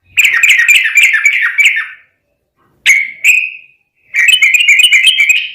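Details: Fighting-style chatter of a sooty-headed bulbul (trucukan), meant to train a bird to sing back: a long run of fast buzzy harmonic notes, two sharp single calls after a pause, then more rapid chatter.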